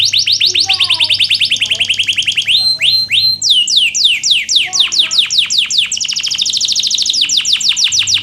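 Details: Canary in full song, intended to teach lazy canaries: continuous fast series of descending sweeping notes, interrupted by rising slurs, then brighter rapid trills toward the end.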